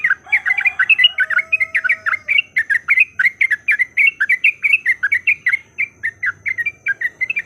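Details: Yellow-vented bulbul song used as a lure to set off fighting song: fast bubbly chattering notes, about four a second, rising and falling, with a faint steady whistle-like tone near the start.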